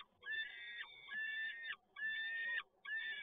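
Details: Peregrine falcon calling at PGE Toruń on 7 May 2022 during the male's latest delivery: loud, drawn-out wailing cries with a slightly falling end, three in a row separated by brief pauses.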